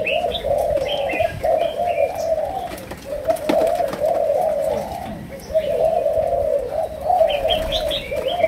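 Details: Low rolling coos from a Malaysian spotted dove in chiêu gù, sấm đồng style, pausing briefly around three and five seconds. Small birds chirp high above at the start and end.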